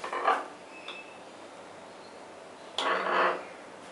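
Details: Scarlet macaw, one of a pair on a farm, gives two harsh, raspy squawks about two and a half seconds apart, with a quiet room-like hush between them.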